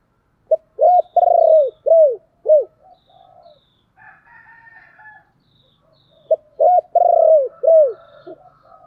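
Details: Decoy spotted dove repeating its thúc calling phrase twice, each a short note, a long pulsed coo and two or three arched falling coos, separated by a few seconds of softer, lower murmuring.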